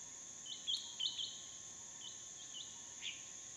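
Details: In a tree near a dry-season waterhole in Phnom Prich Wildlife Sanctuary, Mondulkiri, Cambodia, hair-crested drongos give scattered short, bright, slightly upslurred chirps in small clusters against a continuous shrill insect drone.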